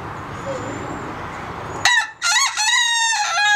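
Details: Hen that seems to start calling, then lose interest and end quickly: a quiet hissy stretch, then a sudden loud harsh squawk, a brief break, and a drawn-out harmonic call lasting about a second before it cuts off.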